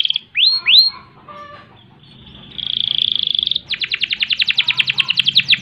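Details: Canary singing long and hard in the rattling 'ngerek' and rolling 'ngerol' style, offered as tutor and provocation song for other birds; two quick downward-swept whistles, then a steady buzzy trill, then a fast pulsed rolling trill of about twenty notes.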